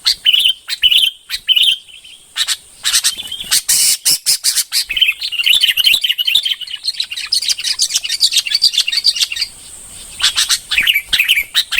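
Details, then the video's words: Red-whiskered bulbul singing with quick, lively whistled and chirping notes delivered in fast, varied sequences, almost continuous with brief pauses, plus sharp clicks. "chim chào mào bông hót chuẩn 100%"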